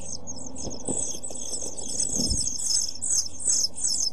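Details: European pied flycatcher chicks aged seven days, nest box camera, 23 June 2012: shrill high chirps tumble in rapid overlapping series, with soft low thumps and rustles beneath, likely movement in the box, over a steady hum.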